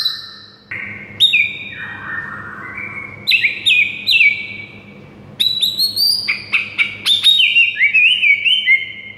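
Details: White-rumped shama song used as a master recording for training, with loud whistled phrases, sweeping slides and rapid trills at varied pitch, delivered in bursts with short pauses and a faint low hum beneath.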